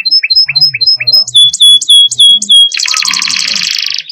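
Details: Canary song opening with paired quick chirps, then loud clear whistled notes repeated about three times a second, breaking into a dense fast buzzy roll; soft low sounds in the background.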